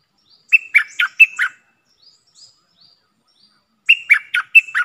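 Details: Caged red-whiskered bulbul used as a decoy to lure birds: two brisk phrases of four or five liquid whistled notes, about three seconds apart, with faint soft calls between.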